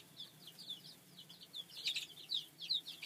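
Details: Chicks of domestic chicken kept in a little brooder coop, bred for a laying project: sharp, high-pitched peeps, several per second, some louder downward-slurred cheeps standing out over a quiet background with faint low hum.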